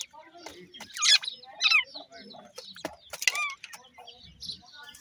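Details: Young grey francolin (dakhni teetar) chicks fighting: sharp, high chirps and short rising-falling squeaks in irregular bursts, with scratchy rustles and faint clicks between calls.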